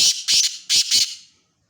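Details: ['Black francolin giving a short burst of four harsh, buzzy, rasping notes in two quick pairs, ending abruptly with a brief fading echo.']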